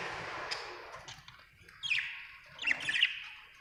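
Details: Budgerigar warbling softly in a steady, chattering stream, broken by two brighter, sharper chirp clusters near the end.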